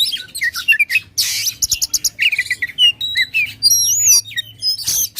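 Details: Loud contest-provoking song of an Oriental magpie-robin: clear falling whistles, a burst of harsh static-like rasp, rapid repeated chips, then a sweet wavering high whistle and quick ending notes.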